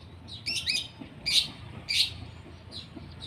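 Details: Long-tailed shrike being sunned and sprayed with water gives a few loud, scratchy chattering bursts separated by short gaps.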